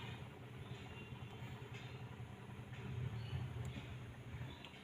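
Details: A low rumbling train or vehicle drones steadily with a faint rhythmic clatter, and no animal voice is heard.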